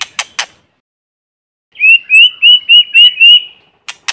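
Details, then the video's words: White-rumped shama singing in forest, a lure song used to stir other birds: three sharp clicks, then a quick run of six short, bright whistled notes on one pitch, followed by two more clicks. No background noise. "Tiếng chim Chích chòe lửa mồi hót kích bổi không tạp âm | White-rumped Shama singing in forest"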